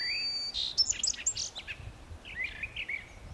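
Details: Complex Brown thrasher phrases: a steady whistle, then a quick jumble of varied high chirps and slurs, followed by softer rising and falling warbled notes, all over a quiet background.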